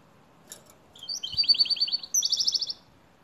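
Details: Goldfinch-like song from a canary: fast, high, rattling trills of repeated notes in two linked phrases, the second pitched higher, over low background hiss.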